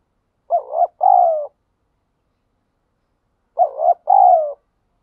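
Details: Spotted dove cooing in the wild in Vietnam, a 'thúc gù' style coo: two mellow, low hooting two-part phrases, each a wavering note then a longer falling coo, about three seconds apart in otherwise silent surroundings.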